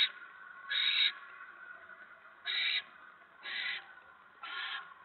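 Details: Barn owl at its nest as a mouse is delivered at 7:50 PM, November 2017: four quieter, breathy hisses spaced about a second apart, fading slightly over the run.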